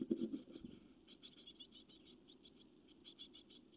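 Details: Growing great tit chicks in a nest on a webcam, 12 May 2017, keep up a faint, high, thin chittering in quick pulses, with a few dull bumps and knocks at the start.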